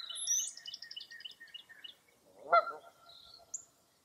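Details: Birds calling along Mirror Lake State Park in Baraboo, Wisconsin, on a foggy early April morning: a high, twittering run of quick chirps fades out, then a single harsh, nasal honk, followed by a short, high whistle.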